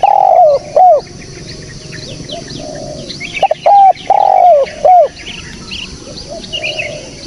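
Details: Spotted dove call captured clean for use as a trapping lure: a sliding croon and short coo opening, then a second phrase of clipped hoots and a long falling coo, with faint chirping birds throughout.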